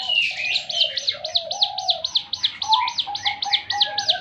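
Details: Javan fulvetta, called ciblek gunung, firing its special 'tembakan' song: evenly spaced, piercing high notes in quick succession, over lower drawn-out whistled tones.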